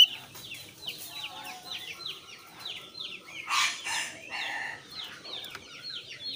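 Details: Javan grey-throated white-eye (Heleia javanica) singing a fast, busy chatter of high, sharply down-slurred notes, several per second, with a brief harsh rasp midway; used as a lure to prompt other birds to sing.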